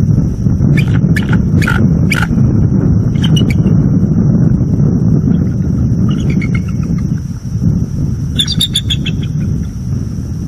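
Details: Nest-cam recording from northeast Florida after midnight: a bald eagle pair keeping watch on an owl near the nest tree gives warning vocals, short chattering note series late on, after loud knocks and clicks, under constant wind noise.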